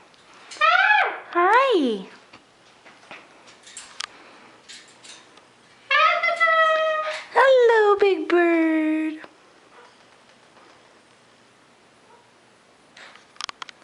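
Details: Greater sulphur-crested cockatoo kept as a pet, calling beside its owner in a kitchen: two bursts of loud, harmonic, downward-sliding squawks near the start and again around the middle, with quiet room noise and a few faint clicks between.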